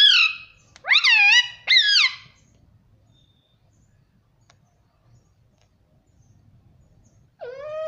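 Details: Pet parrot in a room mimicking mummy: three loud, harsh, harmonic syllables in a quick row, a long near-silent gap, then another rising word at the end.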